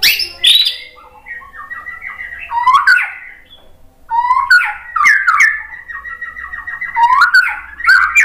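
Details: Song of a white-rumped shama used to spur other shamas to sing, made of long sequences of slurred whistles mixed with sharp clicking notes, rising to loud bursts every couple of seconds.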